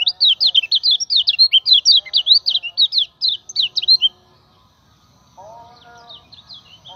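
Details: Common iora, a lure for training other birds, delivers a long, fast stream of high, sharply modulated notes for about four seconds, then pauses, with a faint lower buzzy sound and chirps after.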